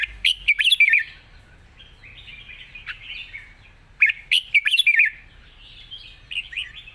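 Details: Red-whiskered bulbul singing a long song with 'rik' notes in a light, easy voice: quick rolling warbled phrases opening and closing the passage, softer fluty notes in between, and sharp clicks.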